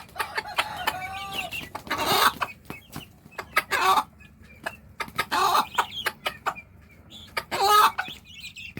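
A hen gives loud, harsh clucks every second or two, with quick soft ticking clucks between them, calling her chicks to food.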